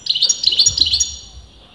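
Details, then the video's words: European goldfinch, its sex debated among experienced breeders, giving a short burst of song: a tight run of high bright chirps about five per second, ringing and metallic, fading out at the end. "غناء متواصل لمقنين"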